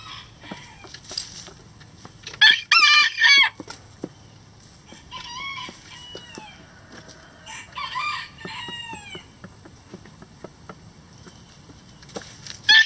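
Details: Chickens in a coop calling loudly in several strong bursts with harmonics, some arching down, spread across the clip. Scattered pecking and scratching clicks fill the gaps, and a final loud call comes at the very end.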